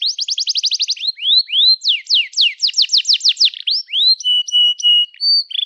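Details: Canary in full 'gacor' song, used as therapy for canaries that have stopped singing: a quick rattling trill, arched whistles, steep falling notes, then flat sustained pure whistles near the end.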